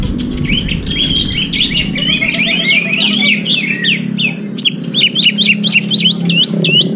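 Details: Contest greater green leafbird (cucak ijo), its song described as copying calls of serindit and kores. Loud, continuous tumbling run of whistled and slurred notes, ending in a fast series of sharp rising chips. A constant low hum and music sit beneath.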